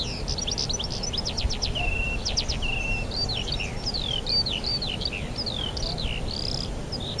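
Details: Birdsong at Rogozyanske reservoir, Kharkiv region, spring, 4 April 2010: opens with a fast run of clipped ticking notes, then flowing curved whistles and chirps from several birds over faint background noise.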